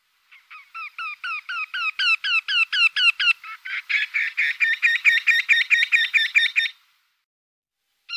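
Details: Eurasian wryneck: a run of ringing, falling notes that grows louder, then shifts to a harsher, lower, more crowded series of repeated notes before fading out, with one more note at the very end.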